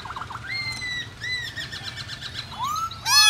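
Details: White-browed laughingthrush song for rousing other birds to sing: quick wavering chirps, long level high whistles, a patter of soft notes and a rising whistle, ending in a sudden loud harsh burst.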